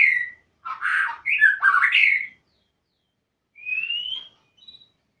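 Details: Magpie-robin (murai) singing: a burst of loud, harsh and whistled mixed notes, a pause, then a single clear rising whistle and a short faint note.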